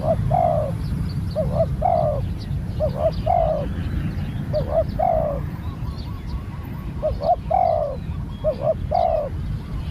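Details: Captive spotted dove being trained, cooing in a long series of phrases, each pair of brief notes leading into a fuller falling coo, with a rumbling low drone behind and scattered high chirps of other birds.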